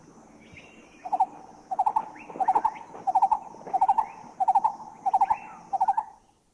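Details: Green-eared Barbet in a Thai national park (Khao Yai, Doi Inthanon, Doi Suthep-Pui or Chae Son) giving low, hollow, bubbling phrases of three or four quick notes, repeated about every two-thirds of a second; faint calls from other birds behind.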